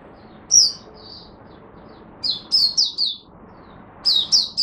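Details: Singapore Oriental white-eye (mata puteh) singing buka sing in humid, warm, rainy, overcast weather, 23 March 2023: a lone high note, then clusters of rapid, bright, downslurred chirps repeated in short bursts.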